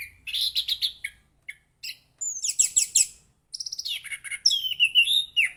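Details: Orange-headed thrush singing energetically and melodiously: rapid bursts of high chirping notes, rattling trills and whistled slurs in short phrases, with brief silent gaps between bursts.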